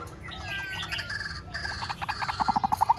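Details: White-breasted waterhen calling, a recording used as a lure for bird trapping; after a confused, overlapping start, a run of short, evenly spaced mid-pitched notes quickens and grows louder toward the end.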